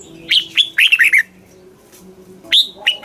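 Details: Caged red-whiskered bulbul from Thailand singing a southern master-style phrase, used to stimulate caged birds and teach young birds; short bright whistled notes, some falling, in bursts separated by a quiet pause, with faint low hum behind.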